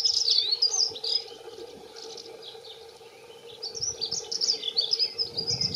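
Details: Territorial song of two male dunnocks: a fast, bright, jingling warble, a quieter gap with faint notes, then a second hurried high twittering phrase, over low rumbling background noise.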